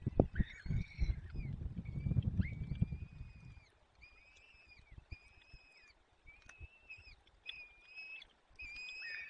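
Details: Peregrine falcon nest in the Barycz Valley, afternoon of 30 April 2020, the male feeding chicks with prey. Low scuffing and thumping at first, then evenly spaced short shrill whistled calls, slightly arched, repeated about every second.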